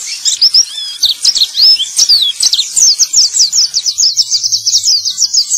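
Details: A male white-eye (pleci) sings a rapid, high-pitched twittering song of thin chirps and slurred whistles, ending in a fast run of sharp repeated notes, used as a lure to prompt silent birds to sing.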